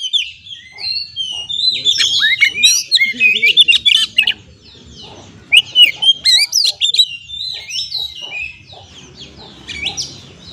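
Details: Extended song of an Oriental magpie-robin used as a lure to get stressed captive birds singing, with dense rapid chattering and sharp whistled notes in two loud bursts separated by a quieter stretch, plus faint lower chatter.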